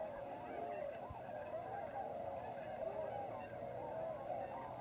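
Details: Many Tundra Swans wintering at Lower Klamath refuge on the Oregon/California border, calling together: a thick, unbroken chorus of mellow hoots and honks, individual notes curving up and down.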